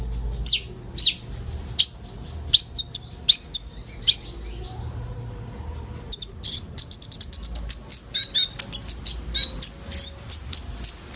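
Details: Common iora isian song used as a lure for sunbirds: slurred high whistles and chirps at first, then a fast trilling run of short sharp notes that slows into spaced chirps.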